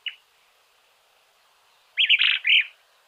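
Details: Small-billed Elaenia in Argentina: one short sharp note, a pause, then a buzzy, burbling three-part phrase; no other sounds.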